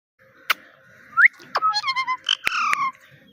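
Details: Small talking parrot mimicking words, with a faint click, a short rising whistle, then a run of voiced, harmonic chattering syllables and bright whistled notes, closing on a long falling whistle.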